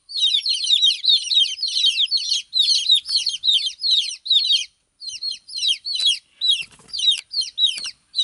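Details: Chicks peeping nonstop, crowded high falling chirps that thin out into separate sharper notes toward the end, with a few faint clicks.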